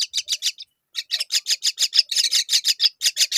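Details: As a mother myna feeds her young fig, a close series of harsh scratchy notes follows a short pause, then speeds into an almost continuous rasping run.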